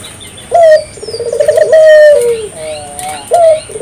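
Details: Spotted dove song meant to set local doves singing: a sharp upslurred note followed by a long purring, slightly falling coo, then the next phrase starting, over a faint steady hiss.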